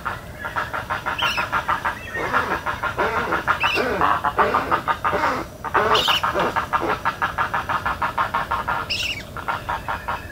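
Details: Spoonbills calling in Everglades National Park: rapid, steady runs of gruff pulsed notes, about three per second, with a few higher squeaky calls over a constant low background hum.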